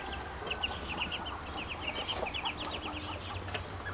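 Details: Several growing ducklings, calling because they are hungry, make a quick, busy chatter of high, short peeps nearly without pause.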